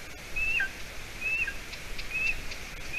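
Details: Nestling golden eagle in Latvia, roughly seven weeks old, calling on a June evening while the adult female brings stringy roe deer hide. Three drawn-out, thin whistled notes with a brief lower blip, over a noisy hiss.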